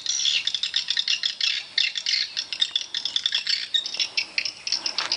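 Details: Swiftlets at a swiftlet house, a dense chorus of rapid, high chirps and clicks overlapping continuously, pulsing in quick bursts with no break.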